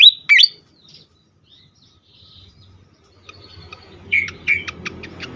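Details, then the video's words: Agitated fantail, used for luring and stimulating birds, gives a brief high sliding whistle, falls quiet, then returns with squeaky whistles and a few sharp ticking notes over a soft low hum. "sikatan kipas ngamuk sekali dengar cocok untuk pikat dan rangsangan bunyi burung bahan"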